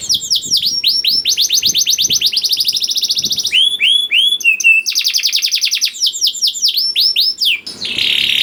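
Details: Young canary's lure song for coaxing silent canaries to sing: a long fast trill of sharply repeated notes, then a few looping whistles, then another rapid rolling trill ending in a brief rasp.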